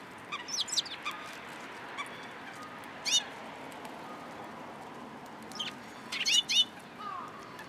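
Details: In a cherry tree at a Tenmangu shrine, 21 March 2023, gathering sparrows give scattered squeaky, slurred chirps, a flurry early on, a lone burst near three seconds and a louder tight cluster past six seconds, over a soft hum.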